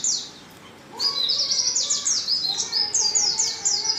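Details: Female Oriental white-eye lure call meant to bring males into song, a brief pause followed by a fast continuous series of thin high descending chips.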